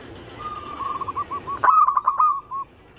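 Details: Brief zebra dove cooing from a lure recording: a soft rippling trill rises into a louder stuttered burst of coos that fades out.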